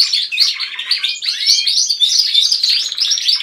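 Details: Home canaries in a joint singsong, led by one bird: continuous tangled warbling with rolling trills and bright whistled slurs from several birds at once, with no pauses.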